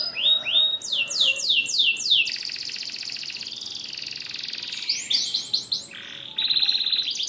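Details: Canary song: quick series of high rising notes repeated about three times a second, flowing into a long, buzzy, sustained trill, then more rapid rising notes, over a constant low background hiss.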